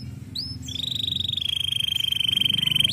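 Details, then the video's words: Canary giving a couple of short rising notes, then a long sustained high rolling trill lasting over two seconds, over a low background hum. "Welcher Kanarienvogel kann den Klang dieses Kanarienvogels ertragen?"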